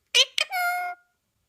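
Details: Pet Indian ringneck parakeet talking indoors: two quick clipped syllables, then a longer steady, tonal drawn-out note, in a quiet room.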